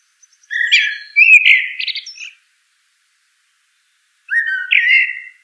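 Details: Common blackbird singing: a low fluted whistled phrase followed by a brighter warbling passage, then silence, and another mellow whistled phrase gliding downward near the end.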